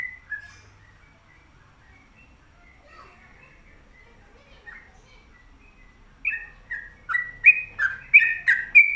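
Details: Sooty-headed bulbul, kept at home, singing: after six seconds of near quiet with a few soft notes, a burst of short, loud, bubbly whistled phrases repeats rapidly, rising and falling around the same pitch.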